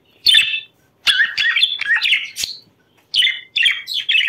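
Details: Chattering budgerigar, its sound used to bring other budgerigars into breeding condition: loud, squeaky, scratchy chirps in separate bursts, some buzzy and some slurred, with short silences between groups, in a quiet room.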